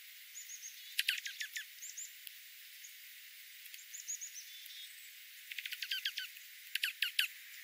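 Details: Dark-eyed juncos, possibly two or three varieties, in winter oak woodland at 1000 feet in the central Klamath Mountains foothills. They give sharp, dry chips in bursts of four to eight notes, with faint thin twitters of other birds, where golden-crowned sparrows and spotted towhees are present.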